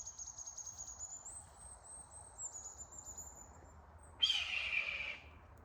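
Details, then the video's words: Wild red-tailed hawk calling in late-summer woods of Blackland Prairie and Post Oak Savannah in northeast Texas, very loud and close, then circling overhead. One harsh, descending scream lasting about a second near the end, preceded by thin high whistled tones and low rumble. "That was a red-tailed hawk."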